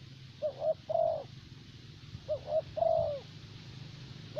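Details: Spotted dove decoy bird of the thổ bầu type, kept for luring in Vietnam, cooing: two quick mellow notes then a longer drawn coo, the phrase given twice about two seconds apart over a low steady hum.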